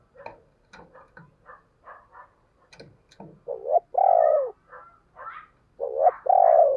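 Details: Owned decoy spotted dove cooing to provoke wild doves. Soft, short cooing notes at first, then loud, deep, two-part coos near the end: a quick double note followed by a longer drawn-out falling coo.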